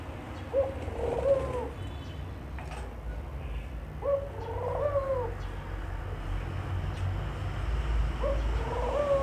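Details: Low dove coos repeated three times, roughly every four seconds, each a short lead note sliding into a drawn-out, slightly wavering hoot, with a steady low rumble behind.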